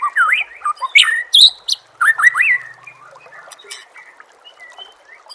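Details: White-rumped shama song used as a training recording for contest birds: varied loud whistled phrases sliding up and down, mixed with harsh squawky notes and sharp high clicks, fading into softer scattered notes after three seconds.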